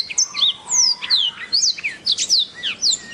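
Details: Black-throated canary (Crithagra atrogularis) sings a fast, unbroken warble of high, sweeping notes that slide up and down, with bright twitters packed closely together.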